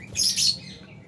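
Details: Albino and Fisher's lovebirds letting out a brief, high, scratchy chirp in two quick pulses, with faint low background hum.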